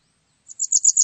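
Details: Japanese wagtail, recorded 2020: a quick run of about five sharp, thin, high chirps, the series cut off abruptly at the end, otherwise quiet.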